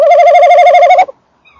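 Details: Male tawny owl at his nest box on a December evening, recorded close to the box; one loud, steady, quavering trill lasting about a second, then a faint distant note.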